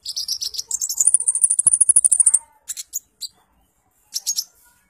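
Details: Brown-throated sunbird (kolibri ninja) singing energetically: a very high, thin trill of fast-repeated notes for about two seconds, followed by a few scattered sharp chips.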